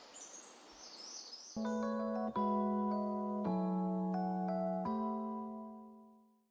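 Soft hiss gives way to slow, ringing piano notes and chords that fade out; no animal sounds heard.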